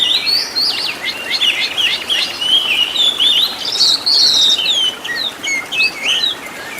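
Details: Oriental magpie-robin (kacer) master song with rich filler phrases, used to train caged birds to sing actively. A dense, varied run of high whistles, slurs and quick chirps, with some notes gliding up and down, continues without pause.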